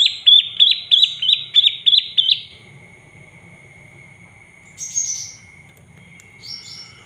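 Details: Olive-backed tailorbird calling to provoke other birds into singing: a rapid string of about eight high, sharp chirps over two seconds, then near silence with a steady faint tone and two brief hissy notes.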